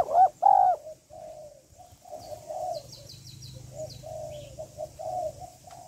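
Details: Female spotted dove calling to stir a male: two loud arched coos open, followed by a long series of soft murmuring coo notes over low hum and high hiss, with faint chirps from another bird.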